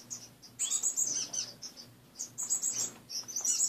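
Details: Pet finches in a cage in the morning give clusters of sharp, very high chirps and a short rapid trill, separated by short quiet spells, with a faint background hum.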